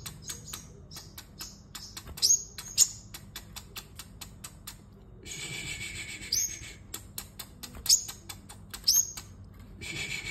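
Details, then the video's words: Sunbird competitive singing: runs of quick dry clicking punctuated by about six sharp, very high whistled notes, several with rising starts, clustered in pairs and short series. "Hút Mật 7 Màu Hót Đấu"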